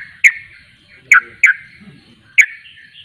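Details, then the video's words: Sooty-headed bulbul, known locally as trucuk, giving four short, loud, slurred notes, each dropping slightly, spaced unevenly over three seconds, with faint low background noise. "Ropelan burung trucuk"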